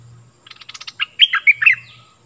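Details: Stripe-throated bulbul song used to train young birds and lure wild birds; a run of rapid buzzy notes, then a bright, liquid, warbled whistle phrase, with a soft low hum around it.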